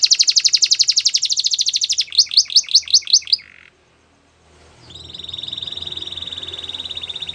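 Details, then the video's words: Russian canary training song with a rapid rolling trill, a few hooked whistle notes, a brief silence, then a long sustained high tone. "Russian Canary Sining | Canary Training Song"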